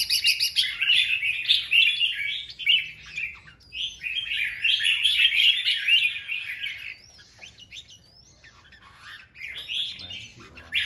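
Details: Caged male red-whiskered bulbul calling a female with rapid-fire song: dense, loud bursts of whistled chirps and slurred notes for about seven seconds, then quieter scattered phrases and a final sharp burst.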